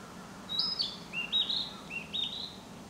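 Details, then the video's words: Narcissus flycatcher singing in spring woodland, a rapid sequence of five or six pure whistled notes stepping between higher and lower pitches, some rising at the end, over faint low rumble. "Narcissus flycatcher"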